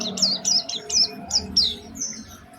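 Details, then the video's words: Oriental white-eye lure song with a distinctive, prized melodic style, used to prompt other white-eyes to sing: bright high notes slurred downward, repeated about every half second, over faint low background hum. "Pancingan Burung Pleci Gacor Cengkok Istimewa"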